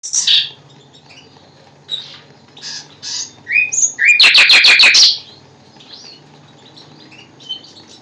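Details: Common nightingale singing in short, scattered high phrases, then a loud burst of about seven rapid repeated notes in the fifth second, followed by quieter fragments.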